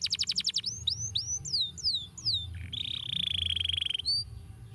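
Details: Canary singing to stimulate other birds: a quick trill of descending notes, then several slow swooping whistles, followed by a steady buzzy roll and a short rising note.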